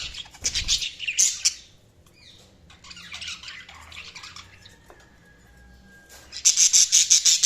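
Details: Budgies chirping in harsh high bursts, then a quieter stretch of soft scratchy notes, ending with a loud, rapidly repeated squeaky chatter.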